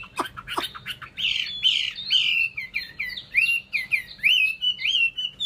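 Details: Chinese hwamei song from a kept cage bird: loud, rich whistled phrases sliding up and down, a run of varied slurred notes repeated quickly with few pauses, after two short sharp opening clicks.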